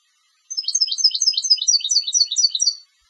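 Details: Competition European goldfinch song: a quick run of bright, twittering high notes, about twenty tinkling syllables delivered in just over two seconds, with no other sounds.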